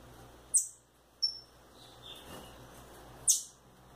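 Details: Indoors, rufous-bellied thrush chicks let out two piercing high squeaks about three seconds apart, with a brief thin whistle between and a steady faint hum.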